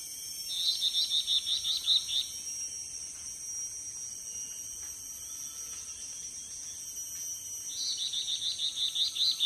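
Yellow-bellied bulbul giving two bursts of quick, high chattering notes, each about two seconds long, over a steady high insect drone.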